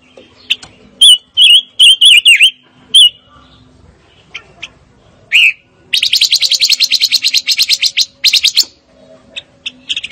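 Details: Fire-tailed myzornis singing: a run of loud slurred whistled notes, a pause, then a fast rattling trill of rapid repeated high notes lasting about three seconds, followed by a few more whistles.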